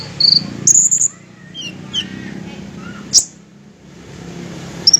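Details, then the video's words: Fighter-style olive-backed sunbird, shrill high trills at the start and end with softer sweeping whistles and a sharp click in the middle. "KONIN FIGHTER"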